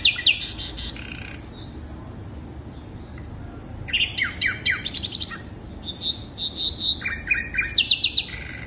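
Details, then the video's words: Lure recording of a sikatan londo flycatcher: sharp high chips, a pause with a faint thin whistle, then fast trilled notes and a string of bright clear whistles near the end. "Pancingan burung sikatan londo"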